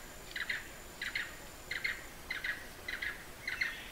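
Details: Blue-eared barbet recorded in Hala-Bala Wildlife Sanctuary in the far south of Thailand: short burry double notes, each a quick pair of rattled pulses, repeated steadily about every 0.7 seconds over a quiet forest background.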